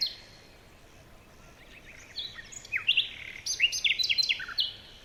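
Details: Jungle birds give high whistles and stacked chirps, starting after a quiet couple of seconds and building into a dense chattering run of notes over faint hiss.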